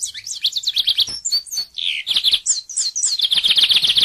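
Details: Varied bigodinho (lined seedeater) song of swooping, slurred whistles and chirps of changing pitch, ending in a fast, buzzy trill of repeated notes. Clean recording.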